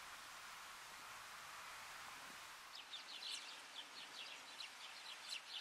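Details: Canary Islands stonechat (Saxicola dacotiae), Fuerteventura, Canary Islands, Spain, February 2017: short, scratchy, high ticking notes in quick irregular bursts after a quiet start, over steady hissing wind or background noise.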